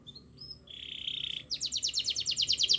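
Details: Canary singing to lure a reluctant canary into song. Soft high chirps lead into a steady buzzy note, then a crisp, rapid trill of high repeated notes that grows louder.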